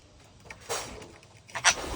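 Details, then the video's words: Ringneck parrot giving two harsh, rasping squawks about a second apart, the second louder and sharper, against a quiet indoor background. "Ringnecks parrots"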